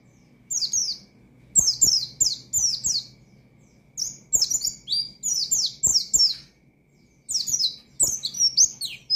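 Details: Pleci, or Oriental white-eye, singing in the ngalas style to call out opponents and stir up untrained birds. Quick strings of sharp, descending high notes come in several bursts with brief pauses, and soft low clicks are heard.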